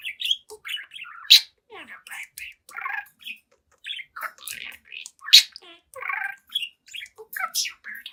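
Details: Talkative young budgerigar, seven months old, chatting and singing at a mirror; dense stream of high chirps, squawky notes and mumbled word-like sounds, with sharp loud peaks near the start and middle.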